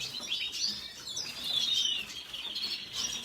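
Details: A brief burst of red siskin song, thin high chirps blending into a slurred, wavering warble that swells in the middle.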